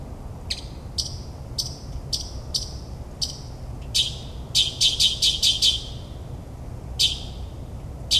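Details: Nocturnal mockingbird song in suburban New Jersey, mimicking many birds: spaced sharp clicking chips about every half second, then a quick cluster of six louder harsh notes, followed by a few isolated calls.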